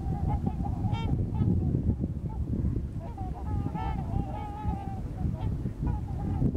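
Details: Trumpeter swans on migration in Missouri, many calling at once: resonant trumpeting honks, some drawn out and slightly wavering, others clipped, with a thick low-pitched rumbling noise underneath.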